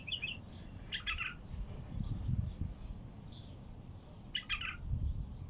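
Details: Heavy-throated bulbul singing outdoors in natural surroundings, madawir-style song: quick chirped and warbled phrases at the start, near one second and again after four seconds, with low rumbling noise between the phrases.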